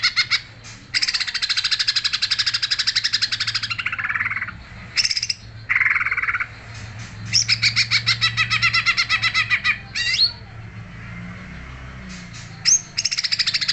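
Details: Greater green leafbird in full song: long runs of rapid pulsed buzzy trills alternating with short whistled sweeps and harsher notes, nearly continuous, over a faint low hum.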